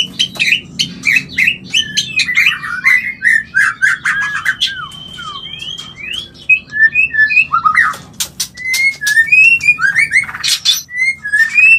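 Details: White-rumped shama giving a mating call to stimulate breeding and mating: busy run of clicks, chirps and tumbling whistled notes, followed by spaced, clear upslurred whistles, with a soft low background hum throughout.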